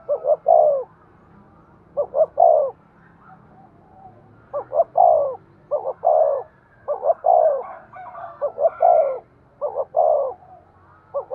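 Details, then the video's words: Spotted dove in 'thúc' cooing for training decoy birds: a long run of soft, low phrases, two short notes then a falling coo, repeated every second or so over a faint background. "tiếng cu gáy thúc sung dùng kích bổi tập mồi"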